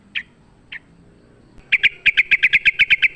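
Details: Wild sooty-headed bulbul in full fighting song, used as a lure: two short separate notes, then a fast run of bright, even chips repeated about three per second, clean and mid-high.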